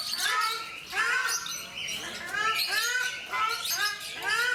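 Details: Zoo-kept ruddy shelducks at Mysore, India, produce a quick series of nasal, goose-like honks, overlapping notes from more than one bird, about eight calls in under five seconds.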